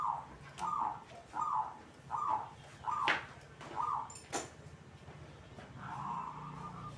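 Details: Local zebra dove singing briskly: a quick series of soft, rounded coo notes repeated about every 0.75 seconds, broken by sharp clicks and knocks, then a drawn-out murmuring note.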